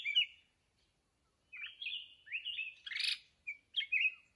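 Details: Red-whiskered bulbul, a wild mountain bird being trapped with a decoy bird, gives short, bright whistled phrases of rising and falling notes in quick bursts, with a brief harsher note mid-sequence; no other sounds.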